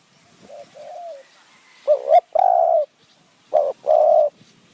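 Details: Decoy spotted dove luring wild doves in high mountain forest near Kanchanaburi, Thailand, calling in the คูอ่าง หนุนอ่าง style: a soft, faint coo, then two pairs of low hooting notes, each a clipped note followed by a longer, sustained one.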